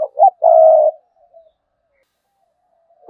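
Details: Caged decoy spotted dove cooing in the "sa gù" style: a short double coo running into one drawn-out, steady low coo, then near silence, with the start of another coo at the very end.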